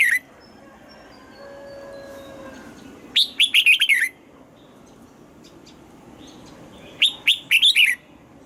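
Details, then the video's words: Red-whiskered bulbul morning song, trained toward the 'âm kép già rừng' double-note style: after a quiet opening with faint thin whistles, two lively phrases of four or five rising and falling whistled notes arrive about four seconds apart. "Luyện giọng cho chào mào hót sáng, ép chào mào hót âm kép già rừng hay tuyệt!"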